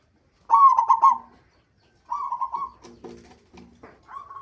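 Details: Zebra dove of local stock calling as a lure to set other zebra doves singing: a loud, rapid, staccato coo phrase, a softer repeat, then low muffled notes and a final high coo.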